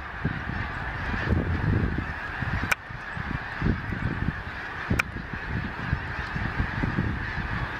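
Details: An enormous airborne flock of Snow Geese over Gordon's Pond, Cape Henlopen State Park, Delaware, in late December under gray skies after rain. An unbroken wall of honking voices continues throughout, with two sharp clicks and gusty low wind buffeting.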